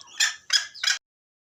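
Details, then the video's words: Three quick, harsh, scratchy bursts from a junglefowl, recorded at Gunung Kambeng for luring birds into traps. They come about a third of a second apart and then stop abruptly. "Suara ayam hutan"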